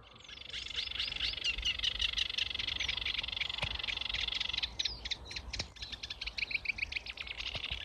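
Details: Sedge warblers singing at dawn in May in reed beds at Grove Ferry and Stodmarsh National Nature Reserve, Kent, just arrived from Africa; fast, varied, scratchy chattering phrases with buzzy trills, dense for about five seconds, then looser bursts of notes.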